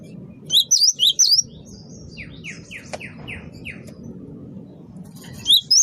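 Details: Gelatik batu wingko, a great tit, singing briskly for use as a bird lure: short bursts of high, sharp, hooked notes at the start and end, with a string of lower descending slurred notes between them over a steady hum.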